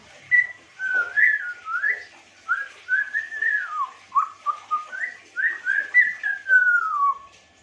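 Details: African grey parrot giving a melodious string of clear whistled notes, each a short rising or falling slur, about two per second, with a longer downward-gliding whistle near the end; quiet background.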